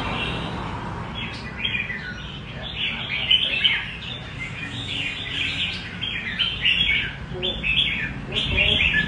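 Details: Sustained rê cầu singing by a red-whiskered bulbul: a long string of bright, liquid whistled phrases delivered almost continuously, with only a faint hiss behind.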